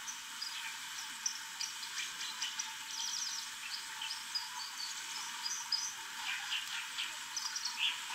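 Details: A white-throated dipper (Cinclus cinclus), singing after feeding, gives a high, scratchy twittering warble in short bursts over the steady rush of flowing water.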